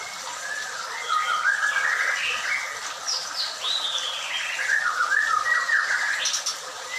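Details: Captive white-rumped shama at a bird breeding farm with ringed birds: a run of slurred, sweeping whistles that rise and fall in quick succession, with brighter high notes near the end over a steady background hiss.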